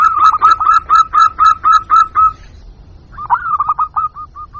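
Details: Local zebra dove lure recording for attracting wild doves: a steady series of clear, evenly spaced cooing notes about four per second, then a short gap and a quicker, fading run of softer notes.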